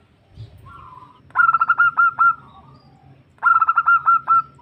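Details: A female zebra dove calls a male, a sound used to lure birds: a soft drawn coo leads into two phrases of quick stuttering notes followed by longer even coos, two seconds apart.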